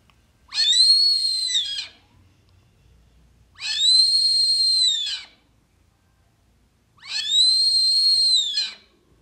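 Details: Brazilian teal (marreca ananaí, pé-vermelho), heard as playback used in birdwatching to draw the bird closer: three long, high, steady whistles, each about one and a half seconds, spaced roughly three seconds apart in quiet surroundings.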